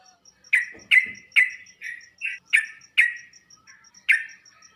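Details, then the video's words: Sooty-headed bulbul used to draw answers from kept birds: separate bright chirpy notes with a rasping edge, spaced irregularly, over a faint steady high ticking tone. "Burung trucuk anda bakal nyaut dan ngropel seketika saat di masteri dengan suara trucuk ini"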